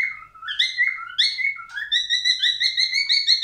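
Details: Male albino cockatiel song: sliding, rising whistles that flow into a continuous warble of quick, evenly spaced notes, loud and clear.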